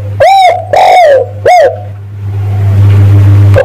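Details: Spotted dove call for luring males: three rough coos within about two seconds, the second drawn out and sliding down, then a steady low hum and a faint start of another note.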